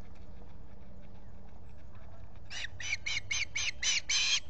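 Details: Osprey at a solar-powered nest camera at Salt Point in the Finger Lakes, USA, in July, with a visitor at the nest: a run of about seven short, harsh chirping notes that grow louder, over steady low background hum.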